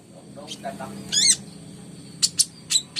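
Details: Brown-throated sunbird (kolibri ninja) singing for a lure recording: a soft low murmur, then a loud buzzy high trill, followed by several piercing, well-spaced high chirps above a steady low hum.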